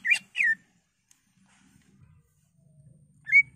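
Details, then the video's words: A greater green leafbird in full song gives two quick, bright whistled notes, then a short pause and a single rising whistle, over faint low room hum; the song is used to make other leafbirds sing. "Cucak Ijo Gacor"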